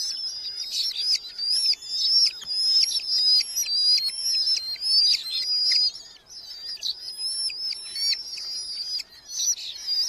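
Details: Red-footed falcon chicks in a nest box within a large breeding colony in Hungary, July 2025, as parents bring beetles; shrill, high whistled calls with wavering tones, given in rapid overlapping bursts almost without pause.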